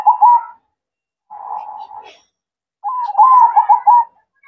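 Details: A zebra dove sings at night: a brief trilled coo, a softer murmuring phrase, then a longer bubbling, rolling coo sequence in the manggung style.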